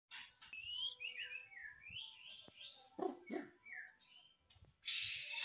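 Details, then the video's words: White-rumped shama in full, active song: a run of clear whistled notes sliding up and down at mid-high pitch, then harsh broadband bursts at about three seconds and a loud rasping burst near the end. "KICAUAN MURAI BATU GACOR"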